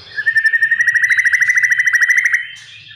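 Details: Oriental magpie-robin kept as a cage bird, song meant to prompt other birds to sing: a fast, even trill of about thirty notes over two seconds, steady in pitch.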